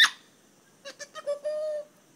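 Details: Pet female grey parrot chatting at home without pause. After a sharp click, four short voiced syllables follow one another, and then a single drawn-out, steady tone.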